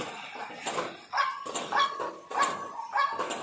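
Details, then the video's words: Lure calls of a white-breasted waterhen: harsh nasal notes given in quick succession, roughly two per second, over faint background hiss. "Ruak Ruak dan Suara Pikatnya"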